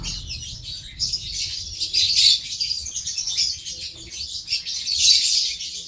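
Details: A lovebird chattering in high, scratchy chirps and squeals that swell and fade in waves, loudest near the middle and end.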